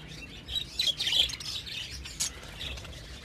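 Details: Budgerigars in a breeding colony during breeding season, giving short high chirps and warbled notes in a loose burst, with a louder sharp chirp near the end over low background hum.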